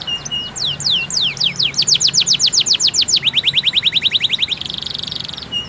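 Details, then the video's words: Canary song played daily to get other canaries singing: a fast, high series of bright swooping whistles, then quicker, lower rising notes, ending in a dense buzzy trill, with steady background hiss. "PANCINGAN KENARI AMPUH!!"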